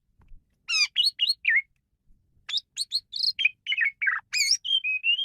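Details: Lively varied song of a male Asian pied starling, meant for luring and training birds: rapid sequences of buzzy, squeaky and slurred whistled notes, several per second, ending in a sustained whistle.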